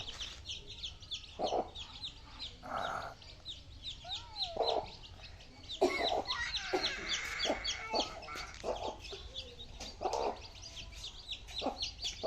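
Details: Baby chicks feeding together, with a steady stream of many overlapping high, sharp peeps. Lower, broader clucks break in every second or two, and a denser burst of activity comes around the middle.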